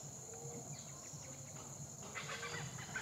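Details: Black hornbill shuttling left and right at low height, giving a short burst of rough, gobbling cackles in the second half, set against constant high-pitched insect buzzing.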